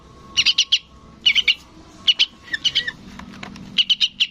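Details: Young sooty-headed bulbul calling for its parent: uneven clusters of two to four rough, high chirps, some slightly lower and buzzier, with a faint low hum in the background.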